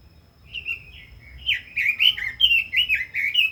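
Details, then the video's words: Rich warbling from a red-billed leiothrix: a few soft opening whistles, then a dense, loud run of looping, up-and-down notes packed closely together. "Chim Quế Lâm kích giọng hay, căng lửa - Burung Robin Gacor | Chim Kim Oanh Mỏ Đỏ"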